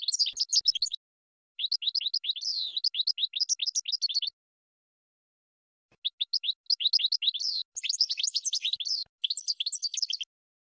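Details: Cage-bird training song of a European goldfinch, long runs of quick tinkling, twittered notes in four phrases separated by short silences, the later ones denser and buzzier; clean recording with no background noise.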